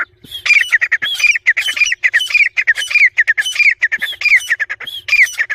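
Grey francolin chicks give a rapid, unbroken stream of harsh, squeaky notes, several each second, sliding up and down at a fairly high pitch.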